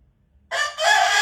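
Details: Rooster inside a bedroom in Sichuan, China, crowing at its sleeping owner as a wake-up call; the loud, raspy start of a crow, with a brief opening note and then a strong sustained tone.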